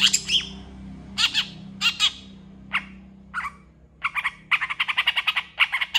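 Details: Long-tailed shrike singing a lively song packed with mimicked phrases, a recording used to train other shrikes: bursts of harsh chattering notes, then a fast run of repeated sharp chips in the second half, with a low steady hum behind.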